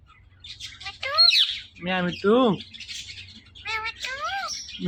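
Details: Pet Indian ringneck parakeet talking and mimicking; harmonic squawky syllables with rising and falling sweeps in short bursts, some speech-like, with quiet pauses between.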